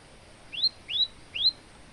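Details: Three rising, high whistled notes from a male olive-backed tailorbird kept for training other birds, spaced about half a second apart over faint background noise.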